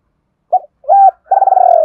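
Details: Fragment of a decoy spotted dove's double-voice call aimed at provoking wild doves: a brief coo, a flat held hoot, then the start of a long rolling vibrating coo.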